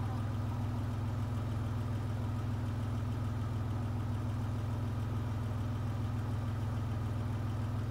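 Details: A steady, low engine idle rumbles throughout, with a constant hum and no animal voice.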